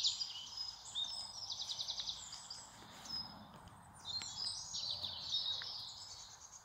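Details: Several songbirds sing at once in spring in England, a dense mix of high, quick trills and twittering phrases, one rapid rattling trill standing out near the start.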